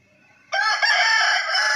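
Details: Rooster crowing, a loud harsh cock-a-doodle-doo that bursts in suddenly and holds strong and steady to the end, with broad rasping harmonics.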